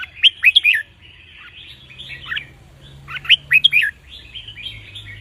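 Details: Caged red-whiskered bulbul singing counting-style (nap dok) phrases meant for training young birds. Two loud, quick, rising-falling whistled phrases arrive about three seconds apart, each trailing into softer chattering notes, with a faint low hum beneath.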